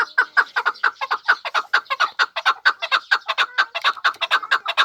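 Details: Chukar partridge from the Pamir giving a fast, steady run of sharp clucking chuk notes, a little over two per second, with strong harmonics, continuing without pause throughout.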